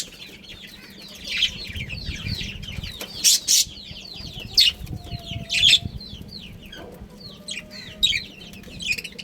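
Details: Budgerigar breeding pair in a colony gives a continuous soft warble of short curved notes, broken by several loud harsh squawks at irregular intervals, with low thumping and rustle below.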